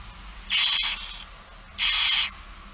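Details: Two rasping, hissy screeches from barn owl young during a feeding, Friesland, Netherlands, 8 September 2019, each under a second with a pause between, steady and broadband.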